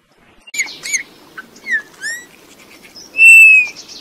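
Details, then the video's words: Song of Eurasian bullfinches: short clipped notes and downslurred whistles in a loose sequence, ending in a long, steady, pure whistled tone, with a soft murmur of background noise. "chant de bouvreuils - song Pyrrhula - طائر الدغناش"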